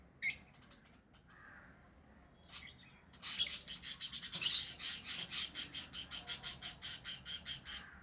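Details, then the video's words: Lovebirds chirping: a few isolated sharp squeaks, then a loud burst of harsh chirps that settles into steady, rhythmic high squawks repeated about four times a second until the end. "Love birds Sounds | lovebirds chirping sounds"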